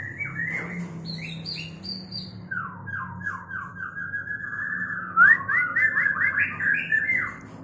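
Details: White-rumped shama mating song: rapid series of short downward-slurred whistles, about three per second, building into a louder stretch of quick stacked notes near the end, with a low droning hum underneath.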